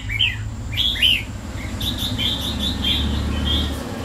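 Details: Pet red-whiskered bulbul, owned for two years, gives a few liquid whistled notes, then a run of softer chirping phrases over a constant low hum and high electrical tone.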